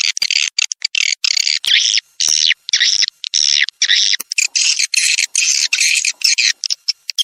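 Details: Swiftlets calling in a revised 2023 lure track meant to draw them in: repeated harsh, buzzy bursts of roughly half a second, closely spaced, forming a restless high-pitched twittering rhythm.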